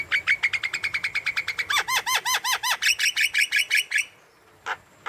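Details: Javan myna singing hard, used as a lure for young, stuck or lazy mynas: a rapid, even series of harsh chattering notes shifting into repeated arched, ringing whistles, ending with a pause and a lone rasp.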